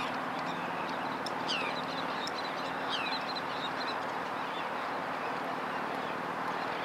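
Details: Forster's tern recorded 12 May 2011 on a Panasonic GH2 camera: two loud, harsh, downslurred calls about one and a half seconds apart, with fainter similar calls behind them and a steady rushing background noise.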